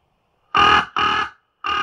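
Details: Common raven (Corvus corax), call.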